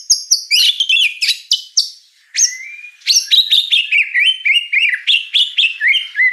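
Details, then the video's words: White-rumped shama in full, lively song: dense bright chirps and sharp high notes, a short pause, then a quick run of looping whistled notes that repeat in a rapid, uneven rhythm. "Suara kicau burung murai batu gacor"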